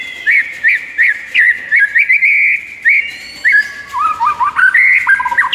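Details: White-rumped shama masteran training song, bird singing actively in the morning: bright whistled notes near one pitch, repeated in short bursts, then a lower run of quick varied whistles toward the end.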